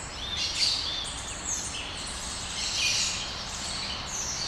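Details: Several birds at daybreak in Brasília, Brazil, giving high-pitched chirps and thin whistled notes that overlap continuously, with no single singer standing out above the soft background noise.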